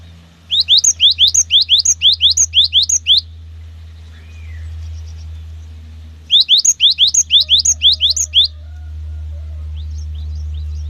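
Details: Cinereous tit repeating its 'wucit wucit' song, a call meant to provoke other tits to sing: two runs of about ten quick rising whistles, each lasting roughly two seconds, with a constant low electrical hum throughout.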